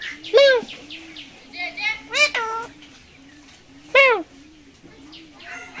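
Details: Caged talking parrot at Dhaka's Mirpur 1 Friday bird market, 13 October 2023, gives a few sharp, bending meow-like cries spaced far apart over a soft, steadily pulsing musical beat.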